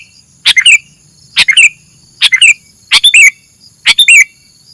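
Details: Sooty-headed bulbul uttering five sharp squawky chirps, each a quick burst followed by a falling curled note, spaced roughly a second apart against a quiet background.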